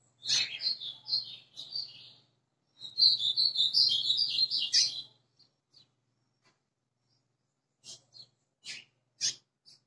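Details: White-throated seedeater, a kept bird, singing: two rapid twittering phrases of high whistled and buzzy notes, each about two seconds long, then a few short separate chirps; faint low hum underneath.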